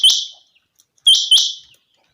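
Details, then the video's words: Chinga quail on a clear, sunny day: a single loud, high, ringing note, then after a pause a close pair of sharp upswept notes with buzzy tails. "Very fresh sound of Chinga quail"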